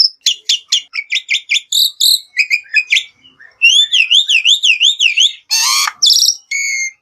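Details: Black-winged myna singing, recorded as a lure for other birds: clipped repeated chirps, then a wavering trilled whistle run and a harsh rasping burst before final clear notes.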